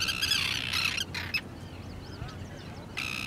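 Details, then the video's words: An Arctic tern at Lake Ontario, Canada gives harsh, grating, rasping calls in quick bursts, with fainter thin chirping notes between them and a low rumble of wind. "Полярная крачка"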